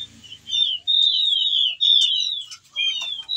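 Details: Ciung batu whistling thrush singing long phrases while in breeding condition, calling a female; smooth drawn-out whistles gliding up and down, separated by short gaps, with a few thin high notes.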